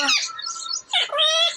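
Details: Talking native pet parrot on April 28, 2024: a harsh squawk leads into a drawn-out wavering nasal note, a brief pause, then another grating squawk ending in a sustained buzzy tone.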